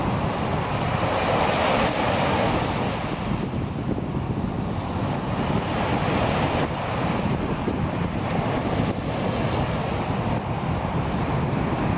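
Steady roar of breaking surf and gusting wind, with no animal calls standing out.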